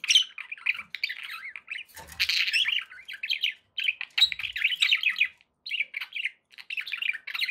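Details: Budgerigars kept as pet companions warble continuously in rapid rolling, chattering phrases, broken by a short harsh burst and brief silent gaps.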